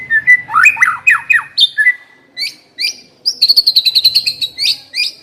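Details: A white-rumped shama sings, used as a lure to set another shama singing: varied slurred whistles and chattering notes, then a quick trill of high repeated notes and a final rising whistle.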